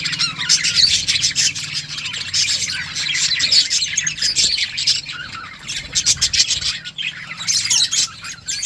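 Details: Colony of budgerigars: loud layered chirping and squawks from many birds over a low background hum.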